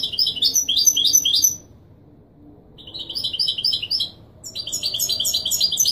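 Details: Kobriya goldfinch, authentic Marrakchi Wedani song style from Morocco, played to teach chicks to sing: quick tinkling, metallic twitters in phrases broken by brief pauses.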